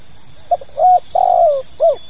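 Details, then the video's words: Tekukur, the spotted dove, giving one 'pokal tanggung' phrase meant to set new birds singing: a short coo, a clipped hoarse note, a long falling slurred coo, then a rounded rising-and-falling final coo, with faint background hiss. "SUARA PANGGILAN BURUNG TEKUKUR POKAL TANGGUNG"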